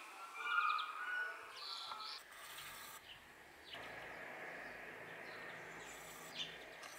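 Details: House sparrows in a tree in a yard give a quick run of bright, clipped chirps in the first two seconds, then one lone chirp later, over a steady hiss of background noise.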